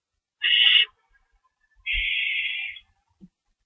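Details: Owl screeching from a lookout at night after chasing a mystery owl; a short harsh screech followed by a longer, steadier hissing screech lasting nearly a second, with a faint thump between.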